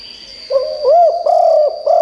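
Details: Spotted dove decoy bird calling to attract wild doves: one brief phrase of three or four rounded, slightly rising coos run together, with a faint steady high hum.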